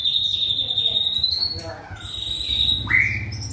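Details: Shama singing during stamina training: a long, pure, high whistle held steady and rising slightly, broken briefly, then resumed and ending in a short sharp upswept note, over a rumbling low background.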